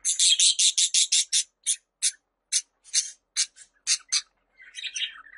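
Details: Budgerigar call for attracting pet budgies: a rapid series of harsh high clicks and chirps that slows into spaced single notes, ending in a soft twitter.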